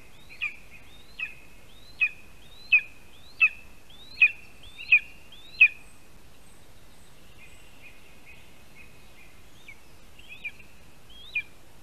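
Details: Lesser spotted eagle chick receiving food from its father at a spruce nest in Latvia, 8:14 AM, 12 July 2021; eight loud, sharp whistles about 0.7 seconds apart, then a softer, sparser stretch of weaker notes.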